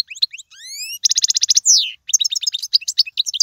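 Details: European goldfinch song for teaching fledglings, described as royal and error-free: quick high chirps, a rising whistled series, then a buzzy rattling trill, a long downslurred note and more rapid twittering.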